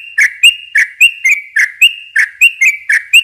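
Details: Bright, rhythmic chattering of a yellow-vented bulbul, used as a lure for young birds. Each short note carries a sharp high tick, repeated about four times a second.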